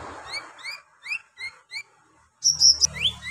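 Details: Brown-throated sunbird singing rough song to excite other sunbirds: a series of short upward-sweeping whistled notes spaced about a third of a second apart, then a loud high buzzy phrase with a low hum.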